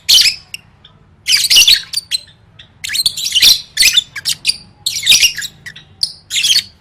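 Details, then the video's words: Lovebird song used as training for singing competitions (gantang, gacor): bursts of harsh, chattering high squawks and shrill chirps in rapid clusters separated by short pauses, with a faint low hum beneath. "Suara Burung Lovebird III Latihan Gacor Gantang Siap Juara"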